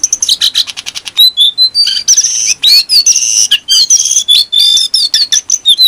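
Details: A loud, continuous brown-throated sunbird song, meant to tutor other birds: a rapid series of high ticks, then a string of shrill whistled slurs and chatter with barely a pause.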